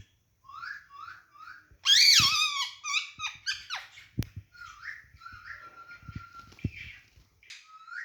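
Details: Pet green parrot playing on a rod indoors, giving a run of short hoarse chirps, then a loud burst of harsh, stacked squawks that breaks into quicker chirps, rasping notes and a long flat whistle, with faint knocks.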